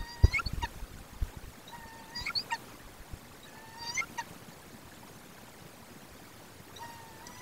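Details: A female barred owl on her nest at night, calling for food before her mate brings a field mouse, gives short, whining, nasal, slightly rising calls every two seconds or so, over low rumbling background noise.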